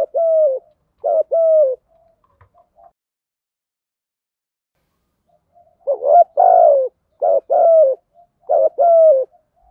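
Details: Spotted dove lure call, Thổ Gù voice, to draw in wild doves; two quick coo phrases, a long quiet stretch, then a louder cluster of hooting phrases with a rough, emphatic middle note.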